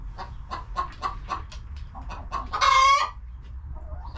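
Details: Hens in a cozy homestead coop, relaxing, giving a series of short, clipped clucks about every quarter second, then one louder harsh drawn-out squawk with a steady tone, over low background rumble.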